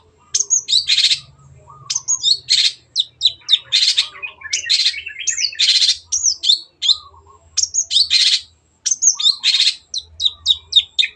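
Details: Energetic long-tailed shrike song meant to tutor pet birds, with clear high whistles alternating with loud harsh scratchy bursts and quick chirps in a continuous varied stream, plus a faint low hum beneath.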